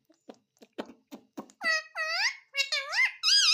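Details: Pet parrot talking indoors: a series of soft clicks and short taps, then a run of warbling, voice-like notes that bend up and down in pitch, growing louder and higher toward the end.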